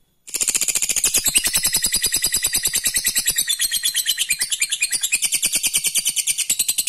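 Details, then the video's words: Lovebird's long ngekek trill, used to provoke rival lovebirds into answering and trilling: a sustained, rapid, harsh chattering run of very fast repeated high notes lasting nearly seven seconds without a break. "Suara burung Lovebird ini ampuh bikin lawan jadi ngekek terus"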